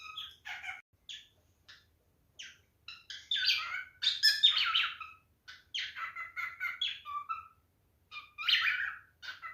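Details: Mating call of a male cockatiel: a long string of short, varied whistled and chirping phrases, some buzzy and rasping, delivered in irregular bursts with brief silences between them.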